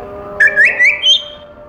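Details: Caged pet African grey parrot delivering a short rising whistled phrase, a few linked slurred notes climbing in pitch and ending on a high sustained tone, over faint room hum.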